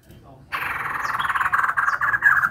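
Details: Female white-crested laughingthrush giving a continuous rough, buzzy chatter that swells in loudness over two seconds, with faint higher squeaks on top.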